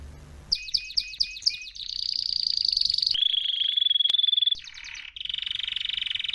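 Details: Singing canary used as a model for young canaries: a row of five sweeping repeated notes, a buzzy roll, a pure sustained whistle, then fast rattling trills.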